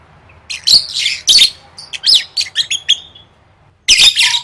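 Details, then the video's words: Lovebird in contest-training song, gacor gantang: scratchy chirps and twisting squeaks, a quiet spell of nearly a second, then a fresh harsh burst. "Suara Burung Lovebird III Latihan Gacor Gantang Siap Juara"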